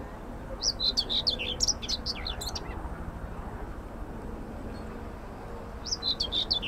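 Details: In central Stockholm's Södermalm allotments on 25 May 2024, a singing common whitethroat gives a fast, chattering warble of high scratchy notes, then silence, then the next phrase beginning, with constant low traffic noise.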